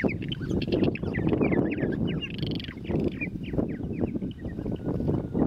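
Purple martins chattering together, a busy stream of gurgling, chirping notes overlapping from several birds, over a steady low rumble of wind or background noise.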